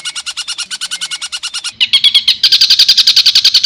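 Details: Long-tailed shrike song with rapid long rolls: a quick series of crisp high clicking notes, then a brief buzzy burst, then a faster, harsher, continuous chatter.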